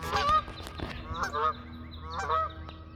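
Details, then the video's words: Geese driven from a pond honk as they fly: short nasal honks in quick pairs and threes over a faint low hum. "Geese honking and flying"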